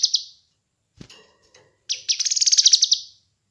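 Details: Kinoi bird recorded as a training and lure track: a couple of high chips, a soft thump, then a fast, bright trill of closely repeated notes lasting just over a second.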